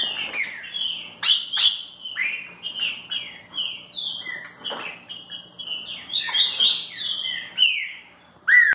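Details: Green-winged saltator, a loud, agitated bird, singing in rapid bursts of rich whistled phrases that slur down and up, with sharp clicking notes between them; the phrases repeat with short gaps, and a faint steady hum sounds behind.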